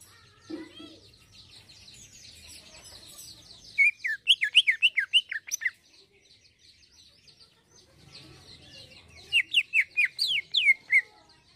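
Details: Greater green leafbird singing vigorously in the 'isian halus' fine fill-in style: two separate bursts of rapid, sharply sweeping whistles, each a couple of seconds long, with near-quiet pauses between them.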